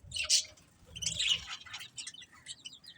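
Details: Pet budgies chirping softly: a short run of high, thin chirps and scratchy warbled notes at moderate volume, with a faint low hum beneath.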